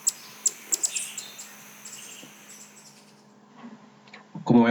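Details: Andean Emerald song from an ambient recording: sharp, very high ticking chirps repeated about every third of a second at first, then sparser faint notes, with a person starting to speak at the end.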